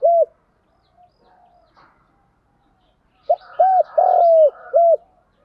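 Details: A spotted dove's decoy call, used to attract wild doves. A closing coo is followed by a quiet pause with faint murmurs, then a complete phrase: brief note, rounded coo, long falling coo, final rounded coo.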